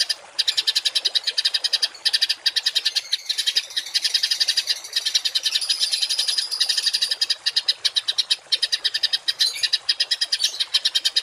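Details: Songbird masteran of harsh rapid-fire song ('tembakan kasar') for tutoring household and contest birds: a nearly unbroken stream of loud, grating, high staccato notes machine-gunned for over ten seconds.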